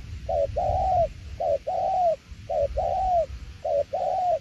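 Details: Spotted dove cooing in the local 'tiểu liên nước' song style: repeated two-part phrases, a short note followed by a longer, mellow, slightly falling coo, about one phrase per second, over faint low background rumble.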